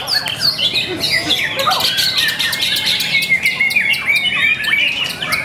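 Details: Competition song of a white-rumped shama at a contest held 5 April 2021, a continuous stream of bright whistles, quick trills and sweeping slurred notes over constant clicking and chatter from other birds.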